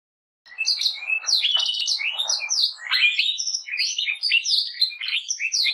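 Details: Canary singing a fast, jumbled warble of high chirps and short slurred notes, starting after half a second of silence and running on without pause.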